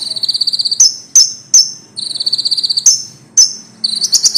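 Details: Common iora singing loudly as songbird training material, rolling buzzy trills interrupted by three crisp whistled notes, ending in a higher stuttering burst.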